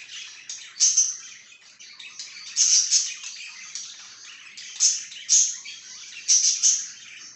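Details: Chirping budgerigar in a lively, irregular stream of buzzy warbling, with loud, sharp chirps at roughly one-second intervals, some in quick pairs.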